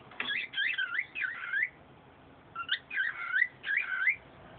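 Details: Caged pet songbird indoors, warbled whistled phrases of rapid up-and-down slurs, two bursts separated by a short pause.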